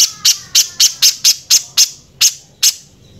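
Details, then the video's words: Coarse song of a Velvet-fronted nuthatch used for training other birds: a burst of rapid, piercing high notes that slows and spaces out toward the end. "BURUNG PIJANTUNG GACOR SUARA KASAR FULL TEMBAKAN"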